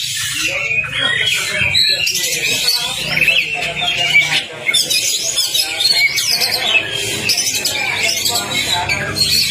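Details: Oriental magpie-robin (kacer) lure and tutoring recording to spur a bird that has stopped singing: a long, busy, high-pitched torrent of squawky, chattering and whistled notes, with overlapping voices and faint low hum.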